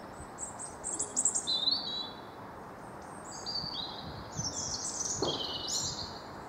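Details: Blue tit singing in a garden in the Wyre Forest, England, UK: high, thin, rapid notes that fall into short trills, repeated in several bursts, with light background hiss.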